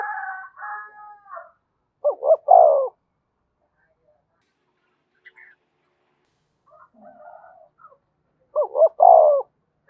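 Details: Low cooing of a spotted dove serving as a decoy for training a trapped bird, two clear short-short-long phrases separated by quiet, with fainter muffled calls early and midway.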